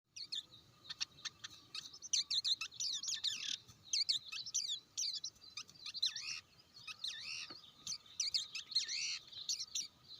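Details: Blue-winged leafbird in a dense run of sharp, high chirps and quick down-slurred whistles. Notes tumble in varied bursts with short pauses, and a faint steady hum sits underneath.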